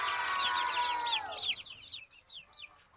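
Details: Chicken chick peeping: a brief tonal music-like passage, then a run of high, arched cheeps that fade away in short bursts.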